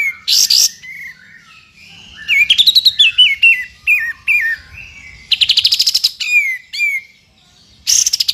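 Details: A white-rumped shama sings tembakan phrases meant for a champion bird's repertoire: explosive bursts, stepped descending whistles, a rapid rattle of about ten notes, and sliding whistles, with another burst at the end.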